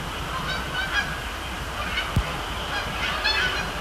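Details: Nocturnal Canada geese at Sapsucker Woods Pond, Cornell Lab of Ornithology, in late October; scattered honks overlap from more than one bird, over a constant low rumble with a single sharp tap midway.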